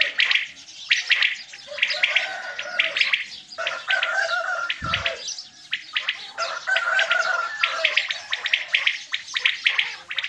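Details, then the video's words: Quails calling in the morning during hunting season: a dense chorus of short, sharp, high chirping notes in quick clustered bursts, with lower warbled tones beneath and a brief low thump midway. "Quails calling for morning hunt seasson | Batair ki awaaz subha k leay | بٹیروں کی آواز صبح کے لیے"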